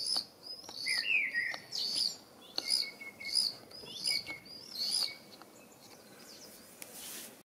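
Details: A common swift exploring a nestbox on a house gives shrill, buzzy, high screeches in short bursts about every half second. A lower, falling trill sounds briefly near the start.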